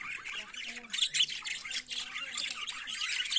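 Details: Morning chatter of budgerigars: harsh squawky chirps and rapid twittering in a dense, unbroken stream, with a few louder sharp squeaks near the first second.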